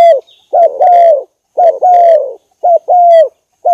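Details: Lure recording of a spotted dove: strong, throaty coos in paired phrases, a brief note then a longer sustained one, repeating about once a second with clean silent gaps between.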